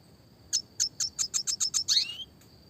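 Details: Red siskin, clear classic training song in roll tembak style: eight evenly spaced sharp high notes in quick succession, ending in a slurred falling-then-rising note.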